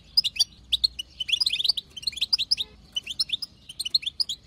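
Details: European goldfinch female, wild, twittering the bitbita chatter that pushes a male to sing: fast bubbling high notes in tight, almost continuous bursts with brief lulls.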